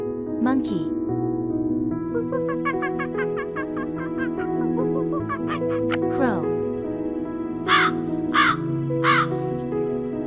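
A crow gives three harsh, hoarse caws about a second apart near the end, over steady instrumental music and a brief spoken word.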